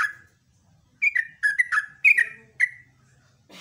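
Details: Yellow-vented bulbul's morning song in brief form: a short sequence of liquid, falling chirps in pairs, ending in a burst of rustling noise.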